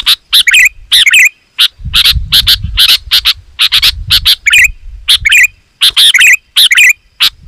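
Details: Sooty-headed bulbul singing densely to attract wild birds: quick runs of sharp chirps and gurgling phrases almost without pause, with intermittent low rumbling noise.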